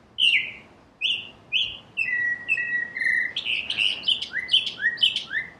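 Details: Northern cardinal song of loud, clear whistles: sharp downslurred notes repeated about twice a second, then a steady low whistled phrase leading into quicker upslurred notes near the end.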